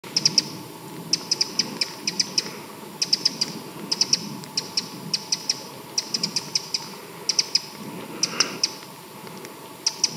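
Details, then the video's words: Eurasian wren giving dry, sharp ticking calls in quick clusters of two to five, repeated roughly every second, over a faint low rumble in the background. "Eurasian Wren's voice | Hlas orieška obyčajneho"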